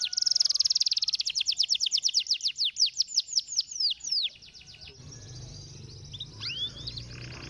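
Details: Canary stimulating song opening with a sustained high trill, then a rapid run of repeated descending whistled notes; after about four seconds the song stops, giving way to faint chirps and low background rumble.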